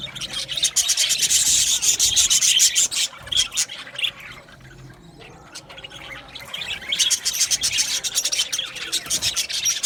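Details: A budgie colony in an aviary. Loud rapid chirping and squawking fills the first three seconds, fades to a quiet lull, then the busy chatter of many birds swells again.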